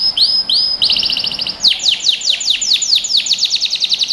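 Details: Canary singing as a training recording for young birds: a few upslurred whistles, a fast pulsing trill, then a long series of sharp descending notes delivered several per second.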